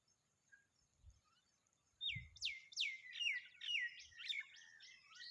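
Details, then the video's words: A hungry Familiar chat chick begs with rapid, shrill, downward-slurred squeaks, about two a second, over a faint high insect-like hum and a few low thumps. "Familiar chat bird's baby is hungry"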